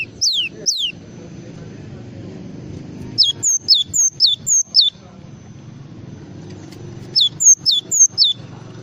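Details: Java sparrow song in full form, with high descending chirps delivered in quick regular groups of three to six and quiet gaps between them, over a low background drone.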